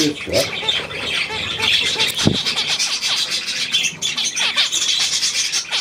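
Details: Budgerigars recorded on 9 February 2024: dense, scratchy chattering warble of quick high squeaks and clicks, with a few short nasal notes early and a sharp knock midway.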